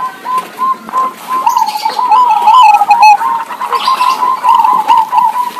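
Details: Local zebra dove in full song, trading calls with another zebra dove, a recording meant to coax reluctant doves into singing. Separate short coos open, then build into a continuous rippling, bubbling trill with brief pauses.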